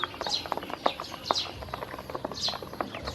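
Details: Domestic ducklings, hungry, eating feed and drinking water offered by a woman: loud falling peeps in short bursts from a few chicks, punctuated by sharp tapping sounds of feeding.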